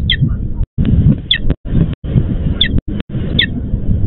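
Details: Sparse calling from a female peregrine falcon at a Łódź, Poland nest, summoning her tardy mate: four brief, harsh notes spread over a few seconds amid rumbling background noise.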